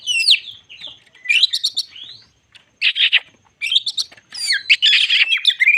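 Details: Lure song of a White-crowned shama, used to excite other shamas: downward whistles, then dense raspy buzzes broken by silent gaps, ending in varied twittering.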